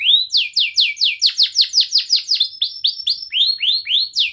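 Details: Song of a young canary used to teach other young canaries: a steady run of loud, clear downslurred whistles repeated about four times per second, shifting pitch slightly midway, with high thin notes above.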